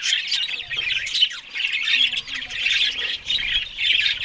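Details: Budgerigars feeding on green food in the morning keep up a dense, continuous warbling chatter of squawky and chirpy notes. Low thumps are heard at times beneath it.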